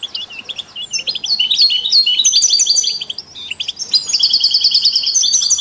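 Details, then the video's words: European goldfinch singing to stimulate other songbirds, recorded with canaries and mules: rising series of clear chirped notes building into tinkling trills, one brief pause, then a sustained buzzy trilled passage. "Stieglitz Kanarienvögel und Maultiere stimulieren alle Singvögel"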